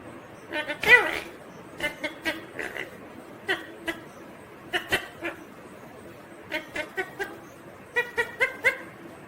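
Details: Talking green ringneck parrot, a rose-ringed parakeet: a run of short, clipped speech-like syllables in quick bursts, some in close clusters of three or four, with brief pauses between phrases and faint background hiss.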